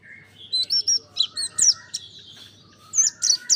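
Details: Mountain white-eye, recorded for song training, gives lively high chirps and short whistled slurs. A steady lower tone runs beneath them, then a pause, then a closing cluster of sharp twittering notes.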